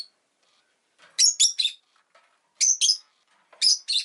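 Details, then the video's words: A pet Rosy-faced lovebird repeats bright, harsh chirps in triplets and pairs, roughly every second or so, over faint soft background twittering. "Lovebird Chirping Sounds"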